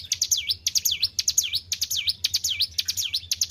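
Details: White-browed shortwing, a kept bird singing actively after careful care, giving loud whistled notes that swoop down then up, in V-shaped phrases repeated about twice a second. A low steady hum runs beneath.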